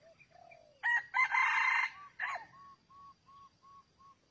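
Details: Red junglefowl at a trap site with a decoy bird: soft falling notes lead into a loud rasping crow in several parts, followed by about five short, evenly spaced clucking notes.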